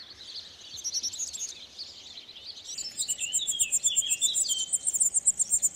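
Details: European serin delivering its melodious spring courtship song in an olive tree: a soft high twitter builds into a rapid, rhythmic cascade of very high tinkling notes that grows louder toward the end.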